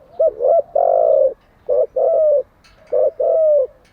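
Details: Spotted dove cooing, used for training decoy doves: three low phrases in under four seconds, each a short clipped coo or two followed by a longer, smooth, slightly falling coo, clear against a quiet background.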